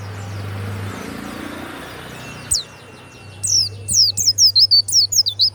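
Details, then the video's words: Caged warbling white-eye, kept as a loud songbird, singing in the last two seconds: a rapid run of high, sharp whistled notes, rising and falling, after a faint high call; steady low hum underneath. "SUARA PLECI YANG MANTAP"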